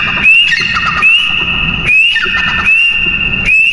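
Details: Teetar, or partridge, giving loud, ringing calls. Each call starts with a quick upward-sliding whistle and then holds a harsh, buzzy tone. Four calls come in a row, about one second apart, over a low background hum.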